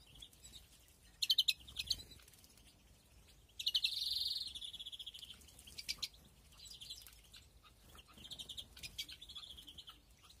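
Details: European greenfinch in a breeding aviary, 2021: scattered high chirps, then one drawn-out buzzy wheeze near the middle, followed by softer twittering trills and more short notes.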